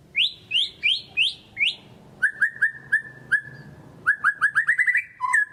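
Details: White-rumped shama singing vigorously as a lure for lazy birds: five spaced upslurred whistles, a pause, then a series of level whistled notes accelerating into a fast rattle-like run ending on a lower note.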